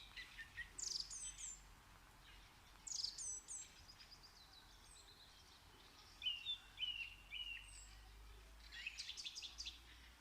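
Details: Bird song outdoors: bright, high chirped phrases of quick descending and stepped notes, repeated in short bursts every couple of seconds, with several overlapping twittering voices and a steady low background hum.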